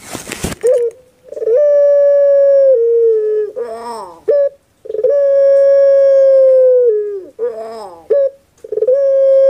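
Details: Caged puter pelung dove kept as a pet in Java, Indonesia, singing: a long steady hooting note slowly falling at its end, then a rough gurgling roll and a short clipped note, repeated about every four seconds.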